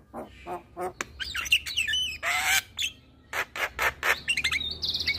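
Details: Caged-myna prompt song of Javan myna, for birds gone quiet from stress or moult: rough chuck notes, a brief hoarse screech, squeaky whistles and a thin high whistled ending.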